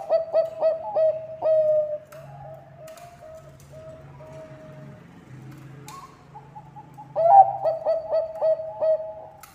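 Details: Bangkok zebra dove singing, a recording meant as a lure to set other doves singing: rapid rich cooing notes open the stretch, a quieter lull with a steady low hum follows, then a fresh burst of quick hollow coos.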